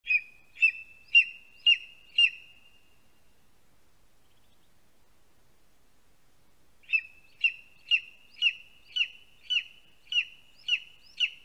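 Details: Lesser spotted eagle chick in a nest in a spruce in Latvia, on a live nest camera, calling as an adult brings a vole, 2 August 2020 around 12:25 pm: high, sharp piping notes repeated about twice a second in two bursts split by a pause.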